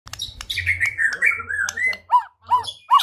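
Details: White-rumped shama song used as a lure to provoke other shamas into fighting and singing: a long, wavering whistled phrase sliding gently downward, then three short, separate rising-falling notes, over a low hum.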